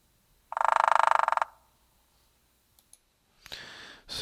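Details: Hairy Woodpecker drumming: a fast, tight roll of about two dozen even beats lasting one second, much more rapid than the similar Downy Woodpecker's drum, followed by a few faint clicks and a soft rustle.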